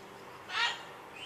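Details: A neighbour's bird, kept near homes, calling in the morning with a single harsh, nasal kwaak lasting about a third of a second, strongly harmonic and loud against a quiet background hiss.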